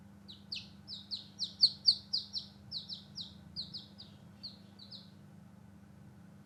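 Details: A fairly regular string of high falling peeps from newborn chicks playing outdoors, rising in loudness then fading, about four notes per second, over a low hum.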